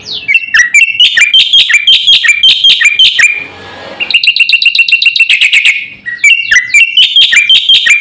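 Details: Black-winged starling pouring out a fast, dense song of shrill repeated whistles and clicks, with a short fading pause in the middle and again near the end.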